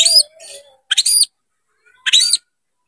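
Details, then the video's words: White-rumped shama (kacer) provoked to fight by another opening its tail, giving short bursts of bright whistled and buzzy notes with high harmonics, separated by pauses, over a low faint humming tone. "MENCARI LAWAN TARUNG KACER CEPAT GACOR DALAM HITUNGAN MENIT DIPANCING KACER BUKA EKOR INI"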